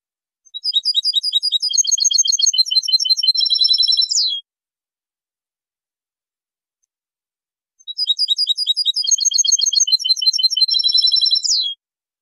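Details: European goldfinch song from a 2023 training recording: two long phrases of rapid, repeated, high chirping notes, each ending in a sharp, buzzy flourish, separated by several seconds of silence.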